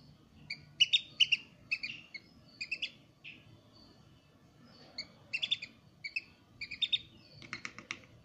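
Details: Freshly hatched Eurasian oystercatcher chick kept at Zoo Praha, Czech Republic: clusters of high, sharp, doubled peeps in irregular bursts, separated by brief quiet gaps, over a soft low hum.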